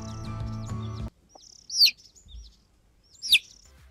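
A chick gives two loud, high, downward-sliding peeps about a second and a half apart, after a second of background music with faint chirps.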